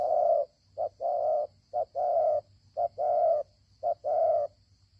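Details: Wild-caught spotted dove with a fine voice, close and loud, giving rich low coos: short clipped notes each followed by a longer sustained one, in a steady rhythm. A faint high hum runs behind.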